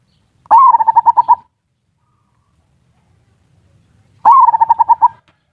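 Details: Zebra dove lure song in the ngerot and kuwor styles, used to stir breeding urge and prompt lazy birds to sing: two bursts of rapid pulsed cooing, each a sharp opening note then about seven quick beats, three seconds apart.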